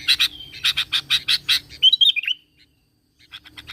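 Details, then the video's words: Sooty-headed bulbul singing freely, its natural voice used to coax other bulbuls into song: a burst of dry, scratchy chatter notes followed by a liquid, wavering whistled phrase, a quiet gap and softer chatter at the end. "PANCINGAN KUTILANG GACOR SUARA ASLI TANPA ISIAN"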